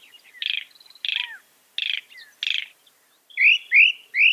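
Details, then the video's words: Northern mockingbird song, from a bird said to imitate 200 sounds: four harsh buzzy chirps about two-thirds of a second apart, then three clear rising whistled slurs, high-pitched and clean. "Masteran suara burung NORTHERN MOCKINGBIRE bisa merekam 200 suara"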